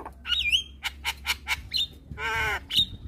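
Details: Javan myna song, meant to prompt stressed or lazy mynas into singing: harsh broad squawks and short clipped notes mixed with a whistled rising-falling note and a buzzy harmonic-rich burst near the end, steady low hum beneath.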